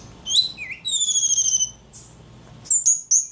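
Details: Ledekan bird singing persistently: a few thin whistles, a long steady series of sharp repeated high notes, a pause, then two short bright whistled bursts.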